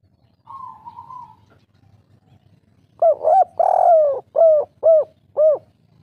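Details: Rival-provoking lure call of a spotted dove, kuk 3 type: a soft, thin steady tone, a pause, then a loud phrase of two short coos, one prolonged falling coo and three crisp, regularly spaced coos.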